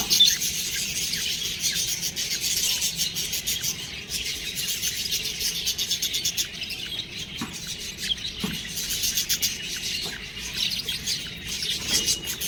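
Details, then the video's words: Budgerigar chicks chirping: a dense, continuous wash of high, thin twittering notes with scattered sharper chips throughout, sounding like many birds calling at once. "budgies babies| cute birds| chirping sound"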